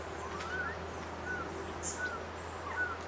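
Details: An Ochre-breasted Antpitta (Grallaricula flavirostris) at Refugio Paz de las Aves, Ecuador, gives soft, clear whistled notes, slightly arched, repeated about every three-quarters of a second, over a steady low hum and faint background hiss.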